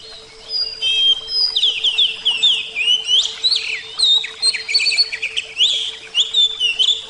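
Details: Continuous rich song of an oriental magpie-robin, kacer: rapid, varied whistled phrases with sharp up-slurs and chattering notes running almost without pause over a faint constant low hum.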